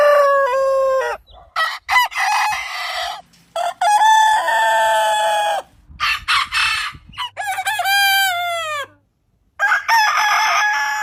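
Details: Cock crowing repeatedly, each crow a sequence of short clipped notes leading to a long, level or gently falling tone, with brief pauses and a faint low hum behind.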